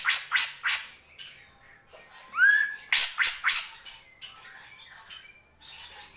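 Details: Drongo song mixing rapid harsh, scratchy bursts with a single clear upward-sliding whistle, followed by more rasping chatter and faint softer notes.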